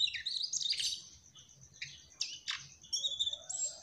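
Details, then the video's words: Mugimaki flycatcher singing: a busy high jumble of sharp chirps, buzzy notes and thin whistles, with a steady high tone running underneath. "Burung Sikatan MUGIMAKI TROTOL Gacorr"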